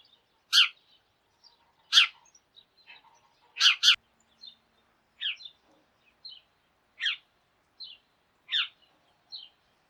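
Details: Sparrows calling as a group in the morning: a loose series of chirps, some loud and sharp, others softer and shorter, including one quick double chirp, with faint low murmurs.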